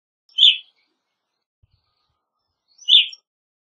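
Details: Evening grosbeak giving two short, loud chirped calls about two and a half seconds apart, each a brief burst with no other sounds in a quiet background.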